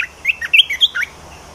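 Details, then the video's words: Quick warbled phrase of linked whistled notes from a bulbul, swooping up and down in a lively, fluid run lasting about one second. "เสียงนกกรงตาแดงเจ้าขุนพลEp2.เสียงใหม่ต่อเข้าจริง!!!Kicau merbah belukar gacor"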